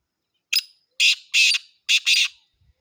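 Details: Black francolin (kala teetar) call: a short sharp note followed by four harsh, grating bursts in two pairs over about two seconds, loud and clear against silence.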